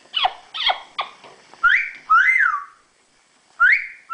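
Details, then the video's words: Caged pet female yellow-naped amazon parrot: a few short downward-sweeping calls, then loud arched whistles that climb and fall, repeated with pauses between them, in a quiet indoor room. "My Talking Parrot"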